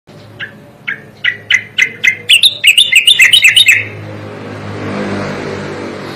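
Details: Striated grassbird song used as a tutor recording for training songbirds: separate short notes near the middle pitch quicken into a fast, jumbled, rising warble, then stop, leaving a low steady hum.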